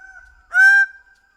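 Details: Single loud, nasal honk from a Greater bird-of-paradise, harsh and rich in overtones, lasting about a third of a second, with a faint steady tone running underneath.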